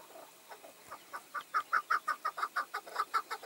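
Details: Tethered decoy chukar partridge in a hunt where five wild males approached: a quickening series of clipped chuck notes, starting soft and swelling louder, spaced closely and evenly.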